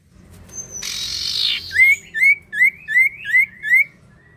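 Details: Sirtu or cipoh, the common iora, in gacor song meant to draw out singing from other birds: a rasping burst followed by six evenly spaced, upslurred whistles in a steady series.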